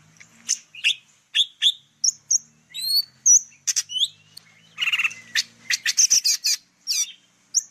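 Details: Song of a golden-fronted leafbird in Vietnam, used to attract birds for trapping: a lively run of high, varied notes, clipped chirps, slurred whistles and a brief buzzy trill, delivered almost continuously in a clean recording.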